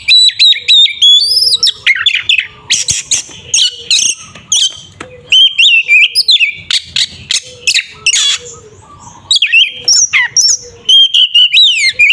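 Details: Oriental magpie-robin performing a fighting song, ngeplong tarung style, used to goad a rival: long sequence of loud whistles, scratchy trills and sharp chips, with a brief lull midway.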